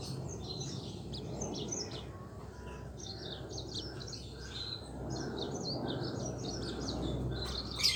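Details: Yellow-fronted canary singing lively rolling 'ngeroll' song meant to coax quiet canaries into singing; continuous high warbled and trilled phrases without pause, steady over a low humming background.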